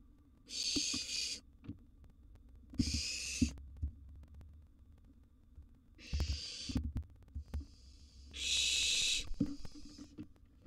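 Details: Barn owl nestling begging at mealtime in a wild nest box, a sizeable gerbil as food; four harsh hissing screeches, the last rising into a louder rasp, with thumps and scratching between calls.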